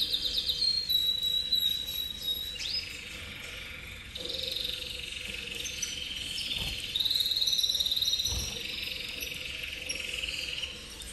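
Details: Cobre Cobalto Intenso canary in full song, weaving high whistled notes, quick sliding phrases and long rapid trilled rolls that rise and fall in loudness, with a few soft knocks in the background.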